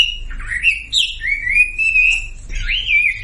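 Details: Sumatran leafbird song, played to coax silent birds into singing: a few long, sliding whistles, one rising sharply, joined by a higher chirp and a low background hum.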